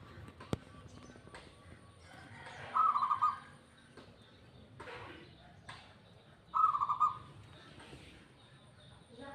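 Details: Local zebra dove singing: two short bursts of rapid, rolling staccato cooing notes, each phrase under a second, separated by about four seconds of quiet background hum.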